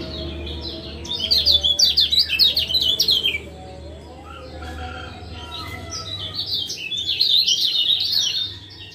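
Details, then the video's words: Male lemon-bellied white-eye of Lombok calling 'ciak ciak' as a training and lure sound for a silent male; two dense bursts of piercing, jumpy chirps about three seconds apart, steady low hum underneath. "Masteran Ampuh Ciak Jos Kecial Kuning"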